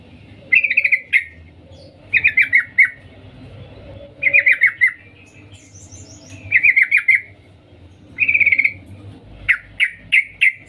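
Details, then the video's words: Female sooty-headed bulbul calling to a male: bursts of sharp, rapid chattering notes around mid-high pitch, each burst about half a second long, repeated roughly every two seconds against a quiet background. "Suara trucuk Betina memanggil Jantan Cuk cuk"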